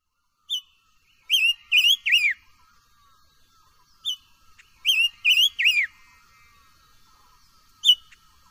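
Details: Silver-eared mesia singing, recorded for voice training: short clear whistled phrases of three rising-and-falling notes, first a lone note, then a quick triple phrase repeated about every three to four seconds, in a quiet setting.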